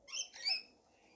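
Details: Rainbow lorikeets during a feeding frenzy, two quick, loud, grating screeches run together, then fading to quiet background noise.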